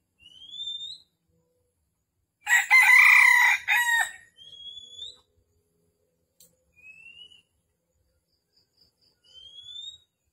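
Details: Red junglefowl used for trapping wild birds in Vietnam on a December morning. One loud, rough, crow-like call of about a second and a half stands out. Thin rising whistles from another bird repeat every couple of seconds around it.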